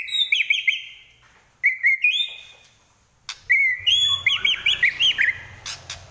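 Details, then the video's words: Fighting white-rumped shama in trotol style: clear whistled phrases, then bursts of rapid, rising and falling notes in quick succession, separated by brief pauses, with a few sharp clicks. "Murai Lepas Trotol Tarung"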